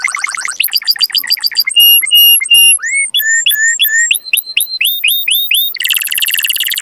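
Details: Canary song aimed at stimulating mating, varied in quick succession: rapid trills, steady whistled notes, rising slurred notes in series, ending in a dense buzzy roll.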